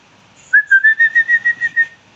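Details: Indian parrot, a pet said to talk, giving a loud string of about eight short whistled chirps on a steady tone, evenly spaced and rapid, in a quiet room.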